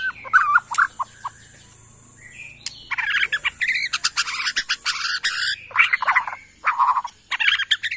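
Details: White-rumped shama of Kalimantan forest origin, Borneo, in provocative song: a dense jumble of chattering, scratchy notes and whistles over faint background hum, with brief pauses between bursts.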